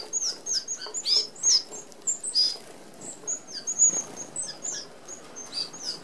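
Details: Feeding flock of Red-browed finches at an Australian open feeder; scattered high, thin, slurred peeps at irregular intervals over soft pecking and fluttering sounds.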